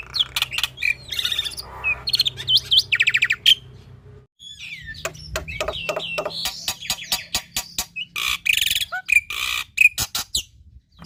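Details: Black-winged starling in lively, full-repertoire song used as a model for young or lazy starlings: long run of mixed whistles, buzzy trills and rapid clicks, a brief pause, then dense sharp clicking notes and rasping bursts with whistled slurs, over a low hum.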